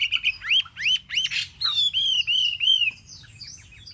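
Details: Caged hwamei, held three months, gives a run of rising whistled notes followed by several rich slurred loops repeated about three times a second, then falls quiet near the end.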